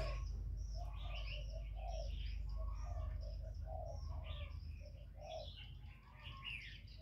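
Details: Spotted dove used as a decoy, cooing against a wild rival; rapid series of low, rounded coo notes, half masked by a dense chorus of high chirps and trills from other birds.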